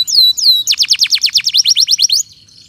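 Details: Canary lure song meant to coax non-singing canaries back into song and to tutor young birds: two clear downslurred whistles, then a rapid run of about fourteen sharp repeated notes, stopping abruptly into quiet.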